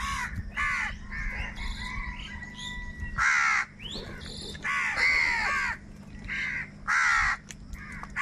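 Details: Crows in an angry dispute over food caw continuously, with harsh, grating calls repeated roughly every second, some overlapping and varying in length, plus thinner chirps and a steady low hum beneath.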